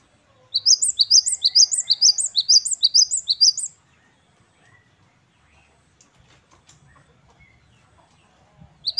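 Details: Great tit, called gelatik batu wingko, in full wucit kristal song: a quick run of sharp, high see-sawing two-note whistles lasting about three seconds, then near silence with faint rustles before the song starts again.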